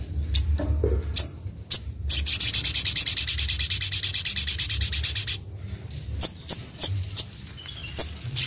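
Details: Crimson sunbird singing in an energetic, high-pitched style: scattered sharp ticks, then a fast buzzy trill of rapid evenly repeated notes lasting about three seconds, followed by more sharp high chips; a low hum sits underneath.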